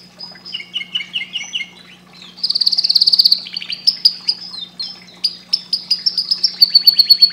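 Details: A canary sings rapid chirps followed by a loud buzzy trill and a string of high whistled notes and quick repeated pulses, over a constant low electrical hum.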